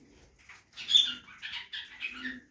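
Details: Budgerigar in a backyard aviary at feeding: a brief cluster of squeaky chirps and chattering warbles, peaking in one sharp high note, with a faint low tone beneath.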